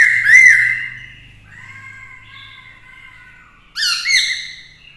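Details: Singing Black-throated laughingthrush, a female close by to excite the male, voicing a challenge to rivals; a loud arched whistle, a quieter held tone, then a sharp cluster of rising notes.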